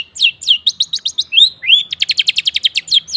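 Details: Long-tailed shrike song played to coax non-singing shrikes: a rapid chatter of short, steeply falling notes, broken by two longer rising whistles, then a quick even run of clipped notes.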